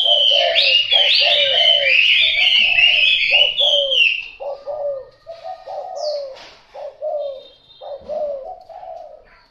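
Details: A Thai spotted dove gives a run of soft, low, hollow coos, several each second, while bright twittering from small birds fills the first few seconds.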